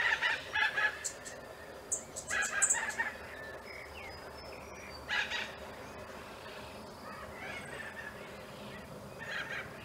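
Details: Spoonbills at the nest giving bursts of harsh, throaty grunts in quick clusters, with a scattering of higher clicks and a later, quieter grunt, before the sound fades to a steady hiss.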